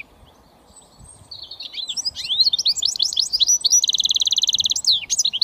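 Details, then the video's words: Song of a goldfinch mule, a British finch hybrid, in switty style: a faint thin whistle, then rapid tinkling twitters and sweeping slurred notes leading into a dense buzzy trill, closed by downslurred chirps. "Goldfinch mule switty"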